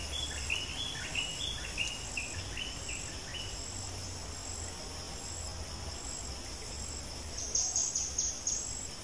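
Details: Wild bulbul, drawn in by a decoy near dusk in breeding season, sings a quick run of bright, slurred, downward-sweeping whistled notes for about three seconds, then falls quiet, with constant shrill insect drone and later high chirps.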